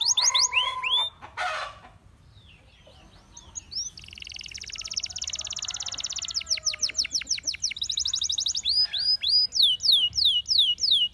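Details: Gloster canary singing a varied song: a few sweeping whistled notes, a buzzy section, then fast trills of repeated descending sweeps that quicken and grow louder toward the end.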